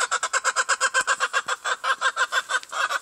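Appenzeller chickens clucking in a fast, even stream, about eight clucks a second, mid-pitched and a little nasal, with no other sounds.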